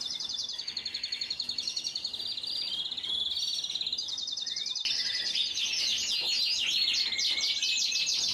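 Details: Belgian Frisé canary singing a continuous high-pitched song of rapid trills and buzzy rolls, with the phrases growing louder and denser in the second half.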